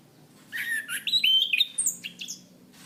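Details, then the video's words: Orange-banded thrush (Zoothera interpres), a Southeast Asian forest songbird kept as a cage bird, used as a training recording for other songbirds: a varied run of clear whistled phrases, some rising, some sliding down, with high thin notes near the end. "Masteran Anis Kembang | Punglor Gacor Ngeplong Mantap"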